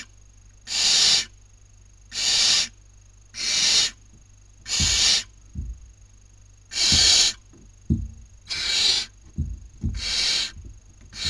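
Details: Nestling barn owls in Cabañeros National Park, Toledo/Ciudad Real, Spain, during the 2019 breeding season, one taking a sibling's meal. Seven long rasping hisses, each about half a second, with soft knocks and scuffs between them.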